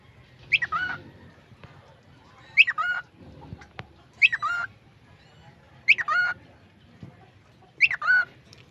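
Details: A talking cockatiel repeats the short phrase "peekaboo" about every two seconds in a bright, high, slightly squeaky voice.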